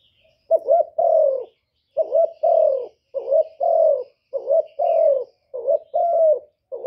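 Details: Spotted dove giving its calling coo: low, mellow, hollow phrases, each a short note followed by a longer falling one, repeated in steady pairs about once a second in a quiet setting.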